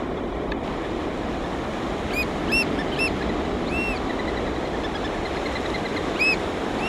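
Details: Local breeding pair of black oystercatchers calling to each other while mating, after losing a newly hatched chick: sharp, clear, high piping notes given singly and in short pairs over loud, constant surf.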